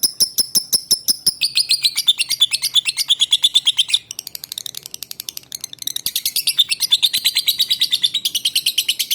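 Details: Lovebird from Palembang, Indonesia, recorded as a lure to get other male and female lovebirds singing: a fast, unbroken stream of sharp, high chirps, several a second, with descending whistled strokes early and dense buzzy chatter later.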